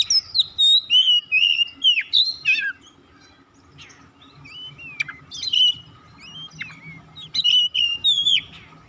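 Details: White-rumped shama song for calling and triggering other birds' singing: a loud opening run of sweet whistled and slurred notes, a short lull, then further bright whistles and sharp chips, over a faint hum.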